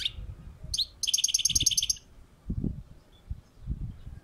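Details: European goldfinch on a balcony: a single high note, then a rapid, even, liquid trill of about a dozen repeated notes lasting a second, with low background rumble afterwards.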